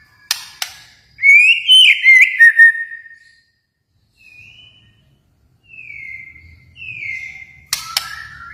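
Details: White-rumped shama from Kalimantan singing sparse, loud whistled phrases: a rich warbling burst with sharp clicks, then several thinner drawn-out whistles separated by pauses, with a faint low hum behind.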